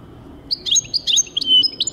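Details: European goldfinch in song, 2023: a quick tumble of tinkling, metallic chirps and thin whistled slurs, delivered in rapid bursts over a faint low hum.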